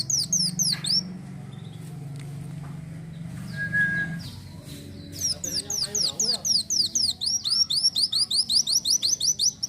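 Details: Kolibri wulung, or Van Hasselt's sunbird, singing lively gacor isian style. A brief burst of high slurred notes is followed by a low hum and faint voices, then a steady string of rapid, descending high whistles.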